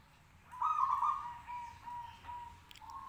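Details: Singing local zebra dove, urging others to reply: a loud, rough cooing burst, then several softer, even coo notes trailing off in sequence.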